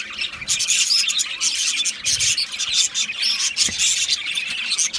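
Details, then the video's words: Several Australian budgies chirp at once, a steady high-pitched twittering of short squeaks and fluttery warbles that swells and dips in loudness. "Australian Budgies Sounds | Beautiful Budgies chirping Sounds"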